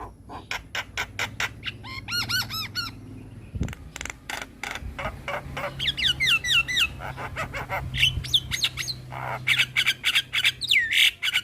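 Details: Javan myna, white-eyed, singing vigorously as a master recording for training birds: a varied run of sharp clicks, rapid ringing notes and looping whistled phrases, with a low background hum.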